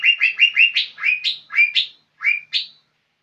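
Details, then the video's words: Lively song from a young lesser green leafbird: quick, slurred whistled chirps, some sweeping up and others dropping, coming about twice a second at first, then spacing out into separate notes. "Cucak ijo muda super gacor"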